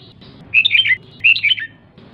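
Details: Female red-whiskered bulbul's ché call for exciting males: two brief warbled phrases of quick, tumbling chirps half a second apart.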